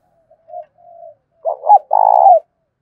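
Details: Spotted dove kept as a lure, cooing to stir other doves to answer. Two faint soft notes, then a clipped double hoot and a long, loud, even coo.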